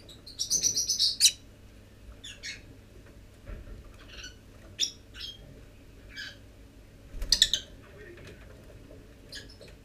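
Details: Young lovebirds leaving the nest at almost forty days old, on 25 December; a rapid rasping squawk burst opens, followed by sparse high chirps and a second harsh flurry near the end, with quiet room hum.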